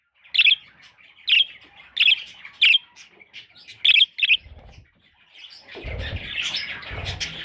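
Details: Baby parrots give sharp, buzzy squawks repeated about every half to one second, six clear calls, followed by rustling, handling noise and a muffled noisy stretch.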